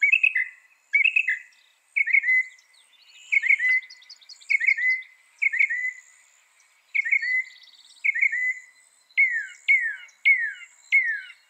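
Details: Northern mockingbird, said to copy up to 200 sounds, used as a training recording for songbirds: sharp whistled notes that rise and fall, given in groups of two or three, then switching to new phrases, over a faint steady high insect hum.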